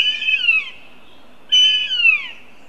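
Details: Northern goshawk young at a Riga nest on July 2nd, where three hawklets, one male and two females, gather together. Two loud, screechy, descending cries sound back to back, separated by a short gap.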